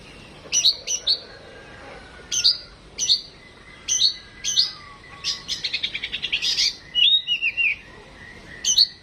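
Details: Home-kept Oriental magpie-robin (kacer) undergoing a mental test. It sings sharp, high chirps in spaced pairs, then a fast rattling run of about ten notes, then a few slurred whistles, over a faint steady background hum.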